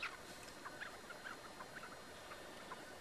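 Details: Chukar partridge (keklik) filmed during a rooftop partridge hunt in Türkiye, recorded eight years earlier: a faint run of short, clipped mid-pitched notes repeated roughly twice a second over steady background hiss.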